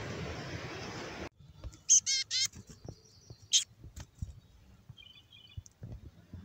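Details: Black-capped chickadees, fluffed up and raspy-voiced, give a high thin note, then three quick harsh buzzy dee notes, with another high note a second later and soft chips after, over a quiet background.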